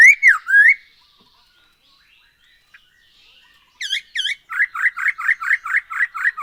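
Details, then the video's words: Black-throated laughingthrush singing actively, used as a lure to make other birds sing: two rising-falling whistles, a quiet pause, then two sharp chevron notes and a fast run of about eight repeated slurred phrases. "Poksay HONGKONG GACOR SETIAP HARI ‼️Dengan Pancingan ini Bikin Burung Tambah gacor"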